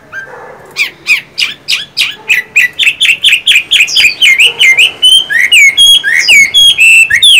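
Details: Chinese hwamei kept as an ornamental bird, one of a 'văn' and 'võ' pair sharing a home unseen: a long, loud run of rapid, repeated slurred whistles, about four per second, shifting into higher, sweeping notes.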